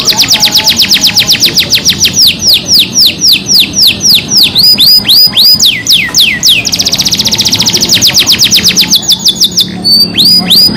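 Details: Lively canary singing a lure song in the rolling and sharp-shooting style: loud chains of quick, downward-sweeping whistled notes, about four per second, switching partway through to higher, faster, piercing phrases.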